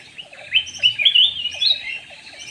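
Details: Black-naped oriole lure call: loud, fluid whistled and slurred notes, sweeping up and down in quick succession over about two seconds, recorded with low background hum.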